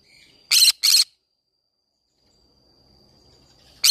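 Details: In a flower garden, a green-cheeked conure gives a double burst of rough screeches, then a quiet stretch with a thin high tone and low rumble before another screech begins.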